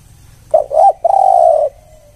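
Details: Spotted dove lure call: a brief note and a rising coo, followed by one long, steady, mellow hoot that fades out.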